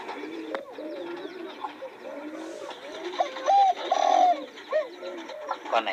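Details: Spotted dove cooing: soft, rounded, arching low coos repeated unevenly, with louder drawn-out notes midway and other similar coos overlapping throughout.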